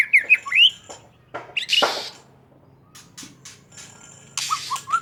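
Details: White-rumped shama from Aceh giving quick rising whistles and upslurred notes, a harsh scratchy burst near two seconds, a quiet pause, then raspy noise and more clear whistles.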